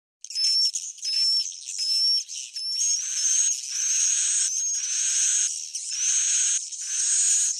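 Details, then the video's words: Edible-nest swiftlet roosting call, used to lure swiftlets in: harsh, buzzy, high chirps in long overlapping bursts, each with a thin whistled tone on top, roughly seventy bursts a minute with short gaps. "Suara inap original"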